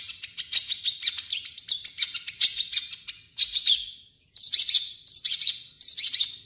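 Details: Long-tailed shrike, called cendet, singing its own varied song mixed with imitations of other birds; bursts of rapid, harsh, high chattering phrases, each lasting under a second, separated by brief pauses.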